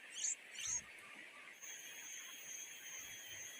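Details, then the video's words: Two greedy nightingale chicks at a wild Indonesian nest beg their mother for food: two sharp, high squeaky calls in quick succession open the recording, then a steady high hiss with a faint low hum. "the two nightingale chicks were so greedy that their mother was unable to find food for them"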